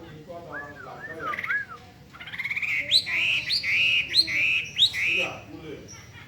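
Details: ['Hwamei song opening with soft arched whistles, then a buzzy rattle leading into loud, repeated phrases, each a sharp upward flick followed by a sustained level whistle, roughly twice a second.']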